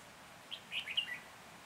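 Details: Decoy red-whiskered bulbul singing during a trapping session in Hòa Bình, Vietnam, 14 January 2021; one brief phrase of four or five bright, slurred chirps delivered in under a second against quiet background noise.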